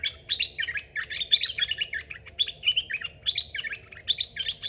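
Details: Caged red-whiskered bulbul used for decoying wild birds sings loud, bubbly, whistled phrases, each a quick tumble of rising and falling notes, repeated almost continuously with short gaps.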